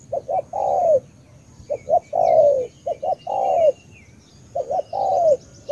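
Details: Vietnamese spotted dove of the Cà Mau tú type giving four coo phrases at an unhurried pace. In each phrase a quick double note runs into a drawn-out falling croon, with a thin high hiss behind it.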